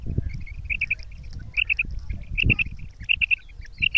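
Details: Female quail calling in a kirak and sirak mix voice: clear triple-note bursts, each a quick run of three bright chirps, repeated roughly every 0.8 seconds over low rumbling background noise.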